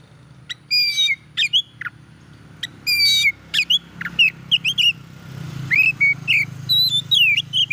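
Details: Oriental magpie-robin song intended to agitate other magpie-robins: sharp whistled notes, clicks and scratchy bursts in irregular sequences over a constant low rumble, possibly traffic.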